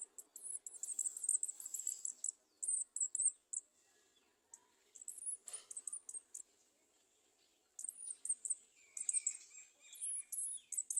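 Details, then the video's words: Garden sunbirds at the nest, adults standing below the nest trying to feed their young; very high, thin, tinny twittering notes in quick bursts, separated by short pauses. "Garden sunbird Birds standing under nest trying to feed their young"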